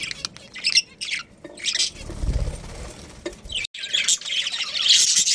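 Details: Pet budgerigars of a breeding pair giving scattered high chirps, broken by wing flapping and a soft low rustle in the middle, then livelier chatter at the end.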